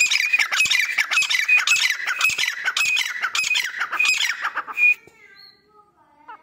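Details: Breeding pair of grey francolins in Pakistan, calling in a loud run of harsh, squawky notes repeated nearly twice a second for about five seconds. The calls stop abruptly and only faint, quiet sounds follow.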